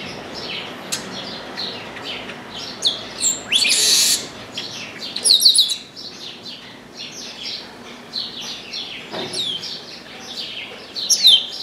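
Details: Chestnut-capped blackbird perched in an orange tree, singing persistently: clear high whistled notes sliding downward, with a loud harsh buzzy burst near the middle and scattered sharp chips.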